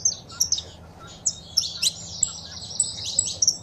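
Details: Saffron finch (canário-da-terra) male song with female chirps for stimulating a captive bird. Isolated high clipped notes, then a dense buzzy trilled phrase of rapid chirps, over quiet low hum.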